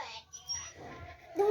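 A rose-ringed parakeet talks in a small, scratchy, human-like voice, ending on a short steady tone.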